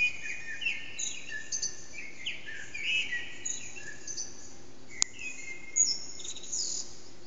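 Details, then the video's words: Eurasian blackbird singing in an echoing backyard around 4:30am, unseen, recorded on an HTC Desire phone: mellow whistled phrases over a steady hiss, with thin high twitters and a sharp click near the fifth second. "Blackbird's morning song"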